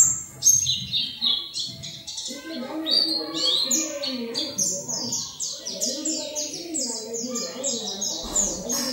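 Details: Oriental white-eye training song meant to make other white-eyes open their beaks and sing in the wild 'ngalas' style: dense, rapid high twittering notes in quick runs over softer, lower warbling from other birds.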